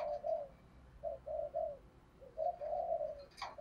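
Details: Decoy spotted dove in 'thổ' voice calling to lure wild doves, recorded quietly against steady background hiss. Soft low coos in broken groups, with a brief high click near the end.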